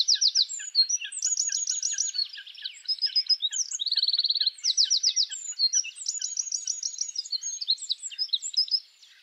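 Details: Wild Eurasian wren giving its spring mating song in forest, a long torrent of shrill high notes broken by several quick rattling trills, loud and breathless, ending abruptly; faint steady lower chirps beneath.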